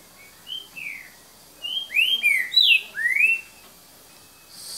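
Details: Green-winged saltator singing in the "boca mole" song style, recorded at 7:38 in the evening on 3 January 2019; a phrase of clear whistled notes, some falling and some rising, delivered in quick succession around the middle of the clip.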